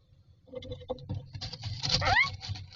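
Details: Myna chicks in a nest box, standing in a row waiting for food, give harsh, raspy begging calls that build to a noisy, overlapping burst with one squeaky rising note, over a low background rumble.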